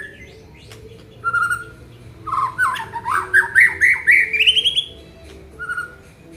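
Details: Aceh white-rumped shama in full song showing its varied isian fill-in repertoire: a rich run of rising, warbling whistled notes climbing in pitch, with short clear whistles before and after.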